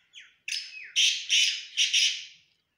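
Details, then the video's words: A black francolin gives a short thin introductory note, then a loud, harsh, grating phrase of four rasping bursts over about two seconds; no other sounds intrude. "black teetar or chinga batair ki awaz"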